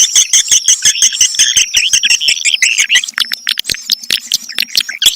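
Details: Swiftlets calling: dense, rapid chittering twitters and sharp high chirps over a steady train of dry clicks, about three per second, with the twittering thinning into scattered chirps toward the end.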